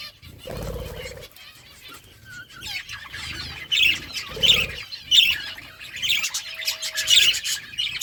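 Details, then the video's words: Budgies eating food, giving short chirps roughly every second among soft warbles, with low thuds and faint clicks of feeding in between. "Birds eating food budgies chirping sounds"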